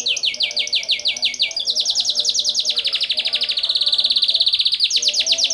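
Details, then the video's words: Taiwan canary in full, lively song: rapid trilled phrases of repeated downward-sliding notes, then a long fast high buzzy trill, ending with a return to the slower sliding notes. "burung kenari taiwan gacor"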